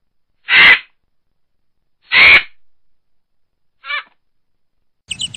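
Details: Garganey duck giving harsh, buzzy bursts: two loud broad calls about 1.6 seconds apart, then a shorter, fainter rasping note and a brief high sound at the end, with silence between.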